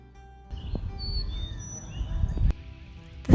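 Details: A Carolina Chickadee visiting a backyard feeder gives its "phoebe phoebe" song: a few thin, clear whistled notes, high and slightly falling, faint against a steady low rumble and a closing thump.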